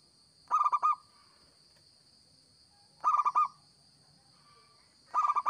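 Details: Lively local zebra dove song meant for luring birds: three bright phrases, each a fast run of four to five throaty cooing notes, spaced roughly two and a half seconds apart, with a steady shrill electronic tone behind.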